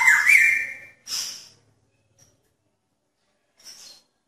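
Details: Male magpie-robin calling to a female in a pairing cage: a bright, warbling whistled phrase, then a harsh high burst and a faint later rasp, with silence between.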